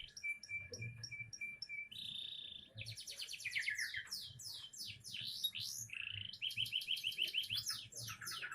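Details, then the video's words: Young canary singing a richly varied song. It opens with a series of evenly repeated short high notes, shifts into fast rattling trills, then sweeping high whistles and more rapid trilled runs, with faint low background noise. "Burung canary isian bukan main masih muda mental juara"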